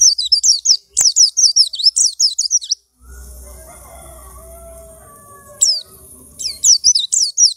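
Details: Caged white-eye chosen from a crowded group cage, singing within two weeks: rapid bursts of high, thin twittering notes with quick downward slides, broken by a pause of near-silence with a low hum before the twitters resume.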